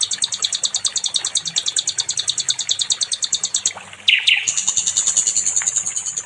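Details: Nightingale singing on a training recording for other songbirds: a rapid, high, pulsing series of sharp notes for about four seconds. A brief pause follows, then louder whistled and buzzy phrases and a renewed high trill.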